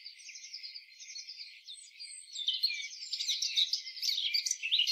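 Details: Eurasian blackcap, a free bird, with a quiet, rambling subdued warble that grows louder and more varied in the second half.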